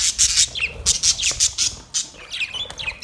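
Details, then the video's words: Australian parrot giving a rapid run of harsh, screechy squawks roughly every quarter second, easing into softer, thinner rising calls near the end. "Beautiful parrot sounds"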